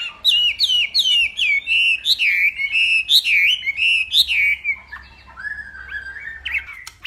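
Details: Hwamei of northwest Vietnam singing in a morning contest; loud, bold whistled notes repeated in a bouncing series, then softer lower warbles trailing off.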